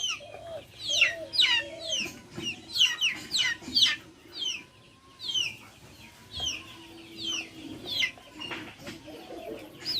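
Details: Shrill descending peeps from backyard chickens, dense at first and then sparser, with low crooning clucks and a few soft thumps outdoors.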